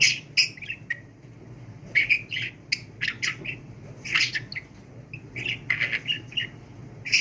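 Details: Pet budgerigar chattering nonstop, as if talking without pausing for breath: rapid bursts of scratchy, buzzy syllables and short squeaks, clustered around mid-high pitch and broken by brief gaps.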